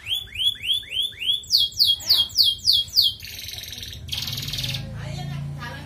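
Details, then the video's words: Red canary in ngerek-style song, played as a lure to raise female canaries' breeding drive: five swelling whistled notes, then six quick descending sweeps, then dense high buzzy rolls, with a low hum beneath. "Bunyi Kenari Pancingan Untuk Burung Ombyokan"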